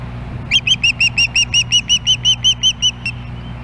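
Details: At a Hellgate Canyon nest in Missoula, Montana, a female osprey calls for her mate, July 14, 2016, on a nest cam. A quick string of clear, piping whistles, around a dozen notes at a steady rhythm, with a faint background hum.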